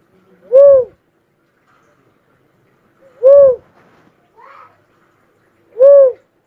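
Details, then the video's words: Cuckoo-dove calling a repeated soft whooping coo three times at roughly two-and-a-half-second intervals, with a brief faint higher chirp between the second and third. "suara burung uncal asli"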